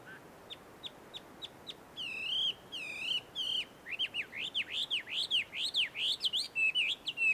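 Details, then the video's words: Wild Chinese hwamei in a small wood by a Tenmangu shrine in Joso, Ibaraki, Japan. Soft ticking notes lead into long, full whistles, then a rapid stream of swooping, up-and-down whistled phrases. "ガビチョウの鳴き声鳴き声。suara merdu Poksai di alam liar!"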